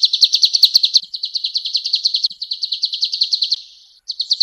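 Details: Male golden-bellied gerygone song: fast series of high, sharp notes, slightly uneven in strength, fading out near the end before a new phrase begins.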